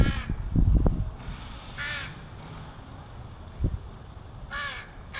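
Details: A mother crow teaching her young one to forage, 26 July 2019. Three raspy, ringing caws come roughly two to three seconds apart, with low thumps and faint background noise between them.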